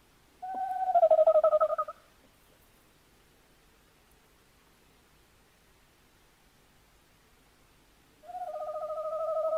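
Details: Tawny owl on 11 January 2026: a loud, quavering hoot of about a second and a half, pulsing rapidly, then long silence before another wavering tremolo hoot begins near the end.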